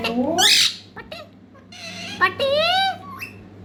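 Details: Young parrot trying to talk: harsh, squawky calls with rising and falling harmonic notes, a loud burst at the start and a longer wavering note near the end, separated by short clicks and quiet gaps.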